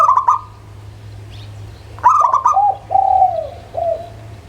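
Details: Local zebra dove singing, recorded as a lure to stir other doves: a stuttered burst of bright coos, a pause, then another burst flowing into lower, drawn-out whistled coos that dip and trail off.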